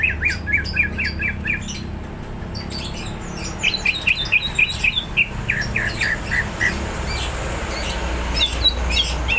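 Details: Greater green leafbird singing hard, said to be ready to fight: fast runs of sharp chirps, about four per second, alternating with softer high twittering.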